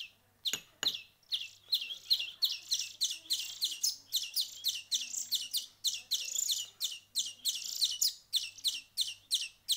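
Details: European greenfinch chicks, a week into hand-feeding, begging with dense, fast, high, buzzy chirps that run almost without pause, with some faint handling noise at the start.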